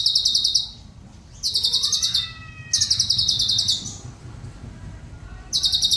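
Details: Rapid, buzzy high trills in repeated one-second bursts from a Cucak cungkok, a bird kept as a song master for other birds, with faint thin whistled slurs in the gaps.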